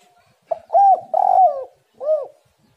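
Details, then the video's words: One cooing phrase from a spotted dove (tekukur) used as a lure to set kept birds singing. A brief note, a clear arched coo, a drawn-out burry coo sliding down, and a final short rounded coo. "tekukur super gacor suara pancingan burung galau"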